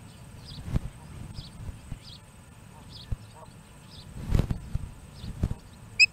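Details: Osprey chick begging for fish at a Charlo, Montana nest, 21 August 2017, answered when an adult delivers a fish: short high whistled chirps repeated at regular intervals, with knocks and thumps around the nest and low background hum.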